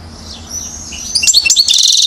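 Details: One-year-old European goldfinch in Mouzaia, Algeria, 2012: after a quiet start with a faint high note, a short burst of bright, rapid, tinkling chirps arrives near the end.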